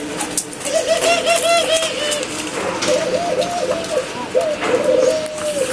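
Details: Caged pet doves in the morning, one incubating eggs and others nest-building, coo in soft, low, rolling phrases, several coos following one another, with light indoor clatter behind.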